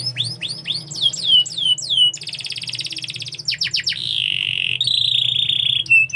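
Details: Canary song opening with rapid downward-sweeping whistles, then a dense buzzy rattle, quick chips and a long level rolling trill ending on a clear note; low background hum.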